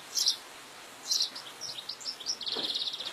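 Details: Wild goldfinch among fields: two bright chirps, then a string of short twittered notes ending in a fine buzzy trill.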